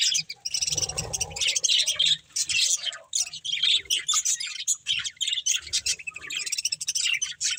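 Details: Budgerigar breeding pair, a family of pet birds, chirping: dense bright warbling chatter and rapid high chirps, with short scratchy squawks in between and brief pauses.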